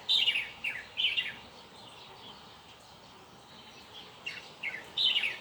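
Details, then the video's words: Bird singing outdoors: short bright chirpy phrases of two or three descending notes, heard in bursts separated by pauses, over a steady background hiss. "홀리는 새소리"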